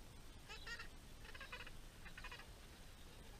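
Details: Gentoo penguins at Orne Harbor, in a colony that stretches as far as the eye can see. Three harsh, buzzy, harmonic bursts come in quick succession, each about half a second long, over steady low wind rumble.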